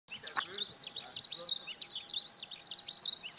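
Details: Eurasian skylark singing at Okayama Airport's fourth parking lot, Japan, on a sunny 5 June 2013, recorded with a Lumix DMC-FZ150: a continuous high, rapid chirping and trilling warble, with a brief lower note early on.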